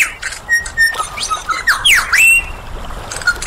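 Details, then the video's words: Superb lyrebird mimicking in song: brief level whistles, then clear swooping whistled slurs dipping and rising, with softer chatter around them. "Lyrebird Song"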